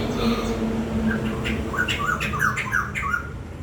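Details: Bird giving a string of short, harsh, chattering notes with sharp downward slurs, about three per second, against a noticeable low hum.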